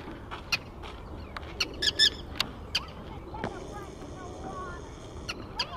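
Forster's tern gives short, sharp, harsh kip notes, scattered irregularly, sometimes in quick pairs; a steady mechanical whine and background rumble run underneath.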